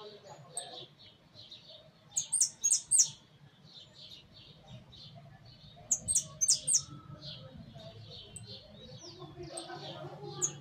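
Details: Caged hooded siskin in a big aviary cage giving two separate bursts of rapid, piercing high chirps a few seconds apart, each a tight cluster of three or four notes, over a steady low background hum.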